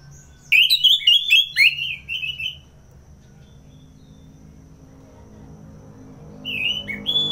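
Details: An orange-headed thrush gives a fast burst of sharp, chattering whistled notes in ngeplong style. A long quiet gap follows, then two brief whistles at the end.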